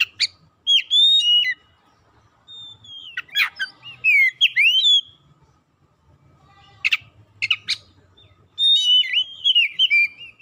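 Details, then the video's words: Oriental magpie-robin song used as a lure to prompt sluggish, silent magpie-robins into singing: loud clear whistled phrases, some sliding and looping, broken by sharp chattering bursts, with short pauses between phrases. "PANCINGAN KACER LELET BISU | PASTI AKAN IKUT GACOR NGEPLONG GACOR"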